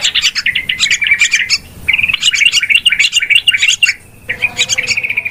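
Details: Noisy yellow-vented bulbul calls played as a trapping lure: dense bursts of sharp chirps and slurred bubbling notes in three runs, separated by brief pauses, over a faint low hum.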